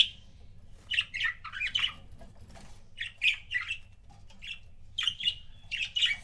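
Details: A pair of pet budgerigars chirps: clusters of quick, sharp squeaky notes in short runs separated by brief pauses, with faint low room hum beneath.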